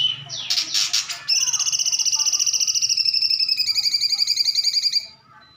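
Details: Actively singing cucak cungkok bulbul: a few harsh, speech-like bursts, then a long, steady, high buzzy trill with fast regular pulses that holds for almost four seconds before it stops.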